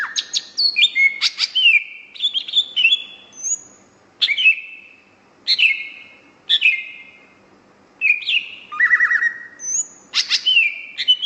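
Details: Greater green leafbird in full, energetic song: varied phrases of bright sliding whistles and sharp chirps, high-pitched, delivered in bursts roughly every one to two seconds with short pauses; quiet background.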